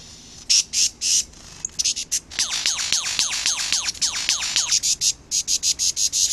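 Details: Superb lyrebird in Australia singing during a courtship dance; each song type goes with its own dance moves, such as sideways steps with the tail spread or hops with wing flapping. Rapid high buzzy bursts, then a run of fast downward-sweeping whistles, then more buzzy pulses.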